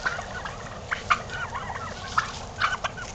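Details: Domestic turkeys, strutting, utter clipped, gurgling notes with a few louder bursts near the end, over a low, continuous background murmur.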